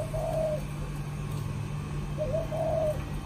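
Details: Spotted dove, a cage bird in Vietnam, with a "chạm đồng" style of cooing: two soft, level, hollow coo phrases, the second rising slightly before holding, over a constant low-pitched hum.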